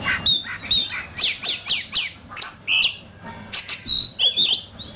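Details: Oriental magpie-robin in a fierce fighting-song bout: a rapid series of sharp, descending whistled notes in pulses, followed by longer level and warbled whistles.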